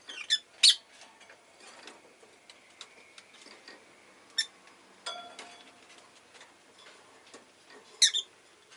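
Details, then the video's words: Pet rosy-faced lovebird with bursts of shrill, piercing chirps: a quick pair early, a single call midway and another near the end, with a thin steady whistle and quiet rustling between. "Lovebird Chirping Sounds"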